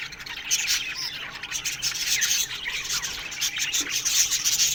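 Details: Morning chirping from an aviary colony of budgerigars: steady high, rasping warbles and short tweets from several birds at once, with a soft low thump near the end.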